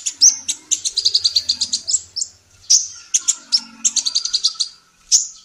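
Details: Female sunbird singing energetically, recorded as a training tape for songbirds: high, thin chirps and short trills in quick bursts with sliding whistled notes, sparse faint low sounds beneath.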